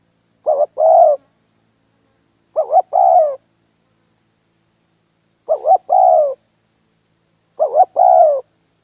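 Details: Spotted dove used to lure wild doves into a trap, calling in widely spaced phrases: a doubled short coo then a longer drawn coo, four phrases with two-second gaps of silence.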